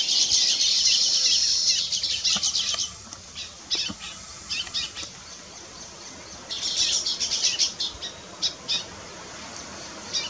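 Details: Weaver bird building its nest: dense, high, sizzling chatter in two long bursts, with scattered sharp chips between them.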